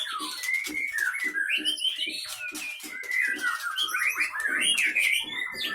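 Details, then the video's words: Murai batu (white-rumped shama) of the Leuser Pining line in Aceh; continuous rich whistled warbling with rising and falling slurs, accompanied by regular low thumping beats. "Murai Batu Gunung leuser Aceh"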